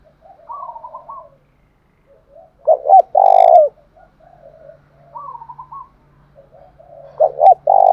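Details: Spotted dove singing thổ pha style to provoke a captive bird into singing: softer wavering higher coos, then a loud phrase of short hoots and a long, steady low coo, more soft coos, and another phrase beginning at the end.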